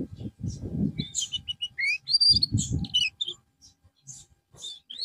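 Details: Canary being conditioned after a loss of form, singing scattered short whistles and chirps, some rising, broken by pauses, with bursts of low background noise and faint voices.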